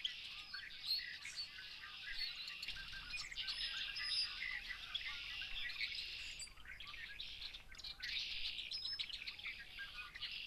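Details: American robins eating sumac seeds after a spring snowfall in Maine keep up a dense, steady chatter of overlapping high chirps and squeaky notes, with noisy red-winged blackbirds in the background.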